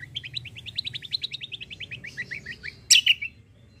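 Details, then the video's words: Very vocal 'fighter' white-eye in 'kombo' style, suited for tutoring songbirds: a long fast trill of rising slurred notes, about eight per second, ending in a few loud harsh chirps. "KECIAL KOMBO CUCAK KOMBO FIGHTER GACOOR || COCOK UNTUK MASTERAN"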